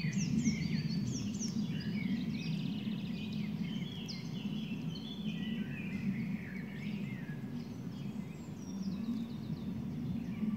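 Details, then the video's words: Mixed birdsong in the grounds of Schloss Nymphenburg, with bright chirps, rapid trilled phrases and sliding whistles from more than one bird, set against a constant deep hum of background noise. "A minute of birdsong"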